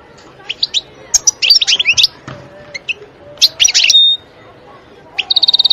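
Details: Wild European goldfinch in a forest: short bursts of bright, liquid twittering notes separated by pauses, with a brief steady whistled tone near the middle and a rapid buzzy trill at the end.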